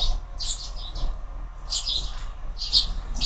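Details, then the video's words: Sparrows at a window-mounted feeder in the morning, where birds are fed year-round; short bursts of high chirps come in clusters about every second, over a steady low hum. "Воробьи в кормушке - утро"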